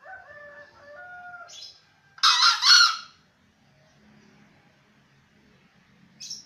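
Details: Seven-month-old green junglefowl crowing: one loud, harsh, hoarse crow of about a second, split into two rough bursts. Faint tonal voices are heard before it, and a short sharp note comes near the end.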